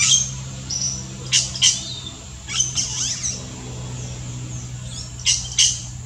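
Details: Yellow-rumped cacique in the Brazilian Amazon singing a mix of sharp paired clicks and thin whistles, with a slurred warbling passage in the middle and a final pair of sharp notes.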